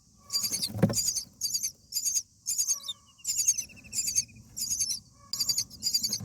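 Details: Common myna at a nest with young on day eight of feeding, the parent making a strange sound to get its mate out and fight nest bugs: harsh, high, buzzy bursts repeated about twice a second, with faint background rustling.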